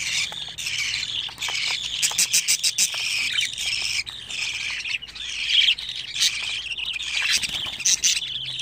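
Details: At 25 days old, budgerigar chicks produce long stretches of grating, scratchy chatter mixed with quick clicking notes and occasional louder squawks.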